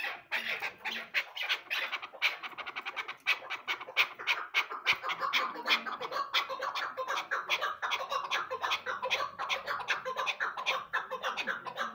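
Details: Two female chukar partridges kept as hunting decoys give rapid, harsh clucking chuck notes, about three per second, overlapping in a small room.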